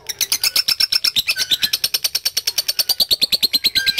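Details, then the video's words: Lovebird giving its long ngekek chatter for song-training use: rapid, even, high-pitched pulses, about seven a second, running without a break for four seconds, with thin whistled tones threaded above. "LOVE BIRD GACOR NGEKEK PANJANG"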